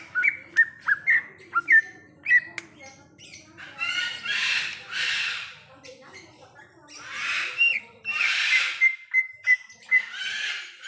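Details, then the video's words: Song of a wild greater green leafbird: choppy whistled phrases at first, then several loud harsh rasping bursts separated by quiet gaps, ending with a string of thin repeated notes. "Suara Asli Cucak Ijo | Suara Alam Cucak Ijo"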